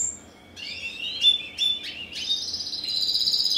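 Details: A 2015-bred first-generation cross of a Spanish Timbrado with a wild canary, ring ST16, starts with rising slurred phrases and short bursts, then settles into a steady, high, rattling trill.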